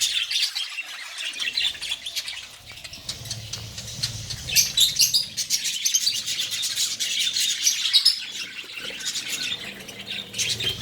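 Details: Budgerigars in a breeding colony with colourful chicks in one nest; dense high chirping and warbling chatter, loud bursts around the middle, steady throughout with some wing flutter.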